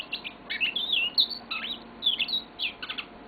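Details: Yellow-fronted canary pet bird giving a short phrase of slurred, warbling whistles and chirps, a few notes grouped in quick clusters.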